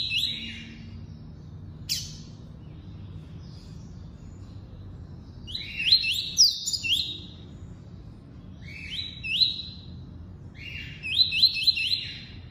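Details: Double-collared seedeater, tuí-tuí song type, delivered in bursts of quick, high, rising whistled notes, several phrases spaced a few seconds apart, with a sharp click near the start and a low steady background hum.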